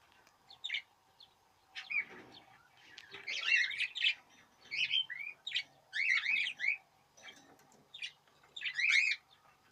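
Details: Budgerigars in the 2017 breeding season chatter in bursts of scratchy, warbling chirps and squeaky notes, with short pauses between phrases and a steady low hum in the background.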